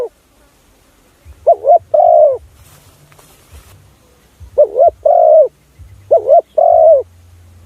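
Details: Spotted dove decoy call for attracting other doves: three phrases of soft hooting coos, each a quick two-part note then a longer sustained coo, separated by quiet gaps with faint low humming.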